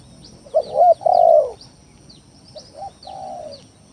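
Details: Spotted dove lure song used to provoke rival doves into calling: a loud, hoarse two-part coo, a short rising note then a long falling one. A fainter similar phrase follows, with thin high chirps from other birds.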